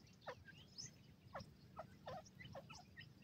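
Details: Grey francolin in a forest, calling to draw its companions and mate near; a series of short, harsh descending notes repeated about every half second, with scattered higher chirps of other small birds behind.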